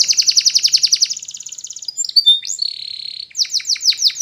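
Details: Spanish Timbrado canary singing a training song: bright pulsed trill of quick repeated notes, a thinner faster roll, a brief sustained whistle, then rapid descending chirps.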